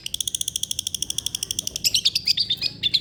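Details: Long-tailed shrike song used to coax a reluctant shrike into singing. It opens with a steady rattle of high, buzzy pulses, about eight per second, then breaks into a louder, varied jumble of squeaky, scratchy notes.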